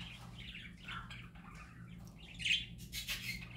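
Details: Singing parakeets in a happy mood: soft burbling warbles and chirps that build into a louder squeaky note and raspy bursts near the end, faint hum underneath.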